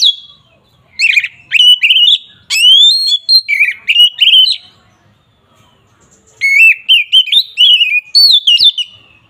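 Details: Agitated kacer, the Oriental magpie-robin, singing in fighting mode to make rival birds emotional: strong, varied whistled phrases with fast warbled trills and sharp upslurred notes, two long bursts split by a brief quiet gap.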